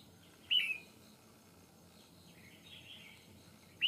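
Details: Red-whiskered bulbul in a fighting trap facing a wild bird: a loud short whistled phrase, quieter warbling, then another whistle starting at the end.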